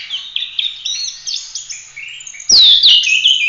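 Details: Oriental magpie-robin giving active 'full roll tembak' song, used to train other songbirds. Soft chirps build to a loud, sharp descending whistle and bright ringing notes, with a few clicking knocks midway.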